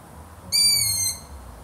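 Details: Single sharp, high-pitched squeal from a long-eared owl, held for about half a second and sliding faintly downward, with a light low hum behind it.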